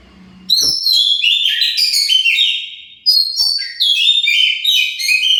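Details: Oriental magpie-robin song used to provoke other birds into answering: loud, varied whistled phrases with rich harmonics, sliding notes and rapid trills, sung in bursts with short pauses, clean background.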